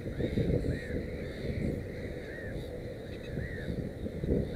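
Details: Black-headed gull near a nest with three chicks utters a few separate harsh, arching calls about a second apart. Low rumble fills the background.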